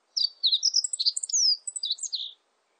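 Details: A Meadow bunting sings one full, rapid phrase of about two seconds. Bright high chips and short trills jumble together, with a falling slur near the middle, against a silent background.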